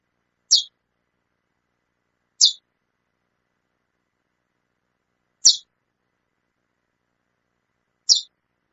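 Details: Female chestnut-bellied seed finch calling persistently: four short, sharp, high chips spaced irregularly two to three seconds apart, each a brief bright tick, against an otherwise silent background.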